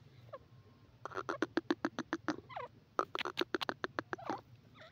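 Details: Yellow francolin, also called Irani teetar, possibly female, calling in a rapid run of sharp clicking notes, about a dozen in each of two bursts a second apart, with short wavering squeaks between them.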